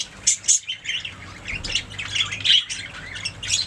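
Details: Budgies chirping and singing in a rapid jumble of squeaky whistles, buzzy squawks and short clicks, several loud sharp chirps standing out from a steady chatter.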